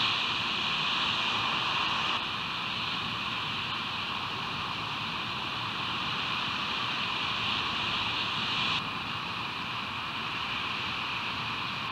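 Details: A steady broadband hiss like rain or distant traffic fills the recording, with a brighter band of noise in the upper range and no animal calls.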